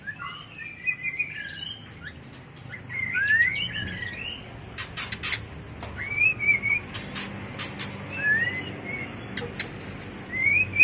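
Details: Varied mating song of a white-rumped shama, used for training and luring birds: warbled and rising whistles mixed with many short harsh clicks and rasps in irregular sequence.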